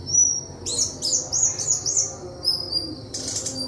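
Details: White-throated flycatcher: a steady high whistle, then a run of rapid twittering notes roughly every quarter second, ending with a scratchy burst and thin whistles.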